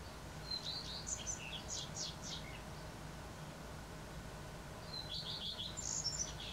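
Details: Two redstart song phrases from an April 2020 morning in western Poland: a high initial whistle, then scratchy descending and twittering notes, the second phrase ending on bright high chirps, with low rumbling noise behind.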